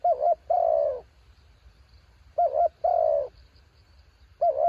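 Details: Decoy spotted dove in strong wind repeats its phrase about every two seconds: a quick wavering two-hump coo joined to a longer rolling coo that sags in pitch. Low rumbling background noise.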